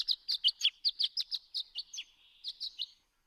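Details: Violet-green Swallow dawn song given in flight, circling high in the dark night sky before first light around 2 a.m.: a series of bright, high chirps and twitters, about fifteen notes, unevenly spaced, ending in silence.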